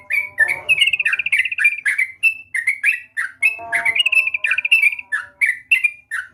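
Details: Sooty-headed bulbul in full song: a rapid stream of bubbly, liquid whistled notes, some falling and some rolling, delivered almost without a break, with a brief rustling noise twice.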